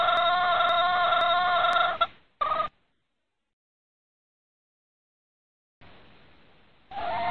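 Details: Red junglefowl hen summoning a rooster during breeding season. A sustained, rough, nasal cackle is followed by a short clucked burst, a long silence, and a fresh call starting at the end.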